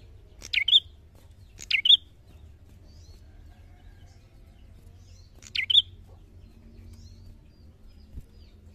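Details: Bar-winged prinia (local name cemplik, prenjak) in vigorous gacor narung song, giving three phrases of a steeply falling buzzy note plus a clipped high whistle. Two come close together, then a pause of over three seconds. Faint low rumble behind.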